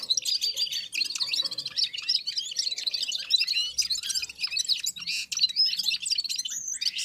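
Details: Several red-fronted serins (Serinus pusillus), Central Asia, singing together in unison as they warm up after feeding; unbroken high-pitched twittering chatter of quick chirps and trills lasting throughout, with other birds present.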